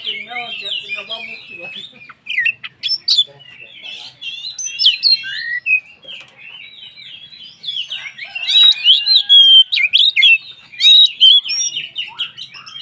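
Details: Singing kacer, or Oriental magpie-robin, whose vigorous song serves to rile other males into singing: dense, varied high-pitched twittering with clear whistled slurs and trills, softer stretch mid-way, then louder repeated bursts toward the end.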